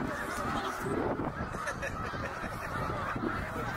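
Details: Snow geese in a huge migrating flock at Middle Creek, Pennsylvania, 2023, heading back north: a dense, continuous chorus of overlapping honks from countless birds, with no single voice standing out.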